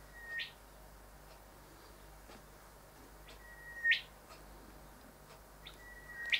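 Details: Constant whipping sound of a male Rufous whistler admiring his reflection in house windows: three calls, about three seconds apart, each a held level whistle ending in a sharp upward-cracking whip, with faint ticks between.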